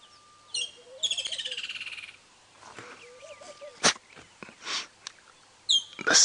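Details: Woodland kingfisher on a sunrise safari drive, 1 February 2017, perched in the open atop a tree after chasing off a laughing dove: a sharp single note, then a loud, rapid, pulsing trill lasting about a second; a man talks quietly between calls.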